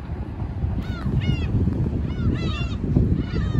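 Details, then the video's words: A flock of Black-tailed Gulls at a tide pool on a rocky seashore, apparently feeding on small fish in a noisy group frenzy, gives overlapping nasal, mewing calls that arch up and down, several a second, over a steady roar of wind and surf. "ウミネコ群れ 潮溜まりで賑やか集団漁"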